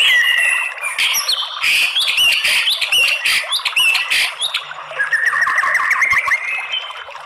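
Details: White-rumped shama song used as a lure to provoke males into fighting song: a rapid, varied run of sharp whistles, chattering notes and rising slurs, loud and nearly continuous, ending in a softer twittering phrase.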